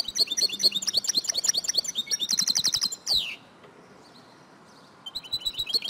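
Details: Female European goldfinch call played to prompt a male to sing: long run of quick high chirps, a rapid buzzy trill, a descending swish, a silent gap, then more twittering.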